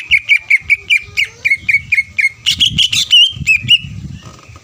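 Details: Greater green leafbird song aimed at rival leafbirds: a steady series of sharp whistled notes, a few rising higher near the end, over a constant low rumbling background.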